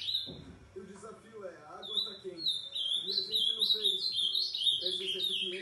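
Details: Late-night ultramarine grosbeak song, past 11: a short low thump, then sweet high whistles building into a steady stream of repeated descending slurred notes.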